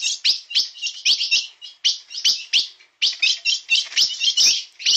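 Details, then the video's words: Blue-black grosbeak, 'bico de aço' type, in 'na pegada' singing: quick clusters of sharp, high chirps run together into short bursts, separated by a couple of brief silences. "Azulão bico de aço na pegada"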